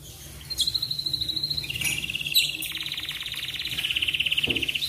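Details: Morning song of an Atlantic canary, played to encourage other canaries to sing: a short high trill steps down into a long, rapidly pulsed rattling roll that stays level, over faint background hum.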